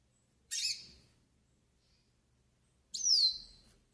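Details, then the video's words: Yellow-faced siskin singing for pairing and warm-up: two separate piercing high notes about two and a half seconds apart, the first a short burst, the second a clear downward-sliding whistle. "CANTO PARA ENCARTE E ESQUENTA PINTASSILGO DO NORDESTE"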